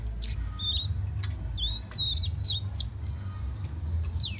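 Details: Young fire red in Guyana, South America, whistling: short bright whistled notes, some sliding down and some rising, given in quick irregular bursts over a steady low rumble.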